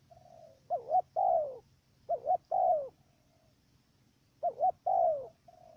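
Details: Caged decoy dove used for bird trapping in Cà Mau, Vietnam, cooing with a stuttered opening: two quick clipped notes, then a longer slurred falling coo, repeated three times in under six seconds, quiet background.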